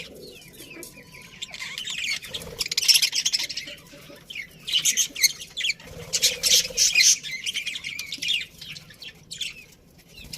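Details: Chirping from a colony of happy budgies: a quieter opening of scattered tweets building into loud, rapid high chatter from several birds at once, then fading back to soft calls.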